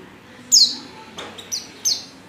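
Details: Female Oriental white-eye call used as a lure to make males sing; three short, very high chirps, each sliding steeply downward, spaced irregularly, with a faint softer note between them against quiet background.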